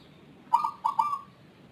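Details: Zebra dove with an unusual voice, unlike local or Bangkok zebra doves, a diligent caller that often sings before dawn: one short coo phrase of three mellow, hollow notes, the last drawn out and level, over a quiet background hiss.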